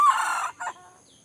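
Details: Junglefowl from Indrapuri, Aceh, giving a short, loud crow: one harsh, strained note of about half a second, then a brief, clipped second syllable. Faint background hiss follows.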